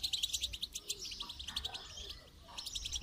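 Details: Goldfinch heard during song training, delivering fast, rhythmic high chirps in a lively twittering stream, with low background noise throughout.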